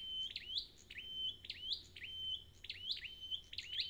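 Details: Song of a wild-caught red-headed flowerpecker: clusters of sharp, high, swooping notes, each closed by a brief level whistle. About five phrases come in quick succession with little background noise.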